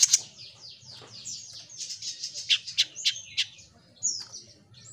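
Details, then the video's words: Jenggot mini singing vigorously: a tumbling run of high chirps and sharp repeated notes, climbing in loudness, then a clear bright whistled phrase near the end. "Suara Burung JENGGOT MINI Gacor‼️"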